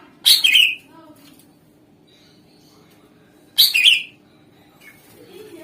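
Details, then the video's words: Greater green leafbird used as a lure to make other songbirds answer: two loud, brief bursts about three seconds apart, each a sharp high burst dropping into a buzzy chattering note, with quiet pauses between. "Ampuh Suara Pancingan Cucak Ijo Gacor Di Jamin Langsung Ikut Nyaut Jenis Kicau Lain Mendegar"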